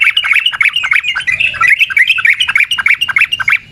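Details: Yellow-vented bulbul singing a long 'ropel' wild-style song meant to provoke other birds into singing: a continuous, rapid stream of bubbling, warbled notes without a break.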